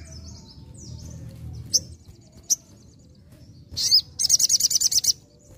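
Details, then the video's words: Sogon singing vigorously: sparse high chirps, then a loud rapid burst of about nine sharp, evenly spaced high notes near the end, over faint low background hum. "SOGON GACOR NEMBAK NGALAS"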